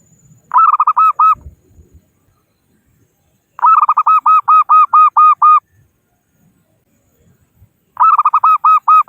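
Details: Local zebra dove calling to rivals, used as a trapping lure: three loud bursts of quick rhythmic cooing notes, each about one to two seconds long, separated by pauses of about two seconds.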